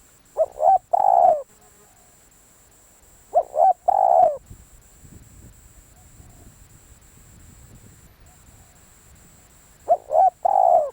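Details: A decoy spotted dove gives three repeated cooing phrases roughly three seconds apart. Each phrase has two short coos and one longer, fuller note. Soft low rustling is heard between the phrases.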